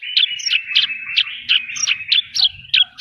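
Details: Horsfield's bush lark singing vigorously with filler phrases: a steady buzzy whistle underlying sharp high chirps repeated roughly every third of a second, faint low rumbles beneath.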